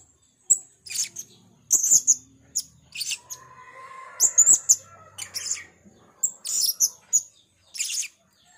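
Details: Blue-crowned hanging parrot calling persistently: piercing high tsit notes and scratchy chirps, about twenty-five bursts a minute at uneven spacing, with a faint lower tone in the middle.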